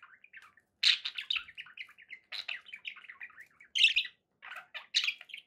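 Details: Pet budgerigars chirping and chattering: sharp squeaky peaks mixed with lower, softer warbled notes in uneven bursts, several short gaps between phrases.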